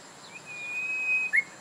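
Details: Japanese bush warbler singing: a single long, steady whistled note held for about a second, then a brief sharper rising note, over faint background hiss.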